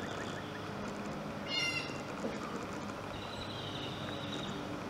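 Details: One of a pair of barred owls preening and socializing in Plano, Texas gives one brief, nasal, whining squeal, followed later by a faint, thin, steady tone, over constant background hiss.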